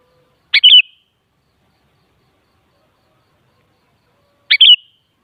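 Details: Sooty-headed bulbul, known as kutilang, with song played so a kutilang answers and sings: two matching short liquid whistled phrases about four seconds apart, each a burble followed by a falling note, with a quiet background.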